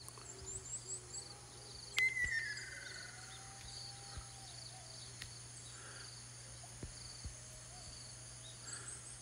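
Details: Ruddy kingfisher recorded on Amami: one descending, rolling call slides downward about two seconds in, over a steady insect chorus and faint high chirps.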